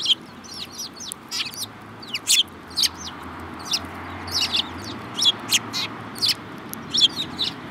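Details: A lively group of Eurasian tree sparrows, among them a yellow-beaked bird, recorded 7 March 2018, keeps up continuous overlapping high chirps and twitters, several birds calling at once.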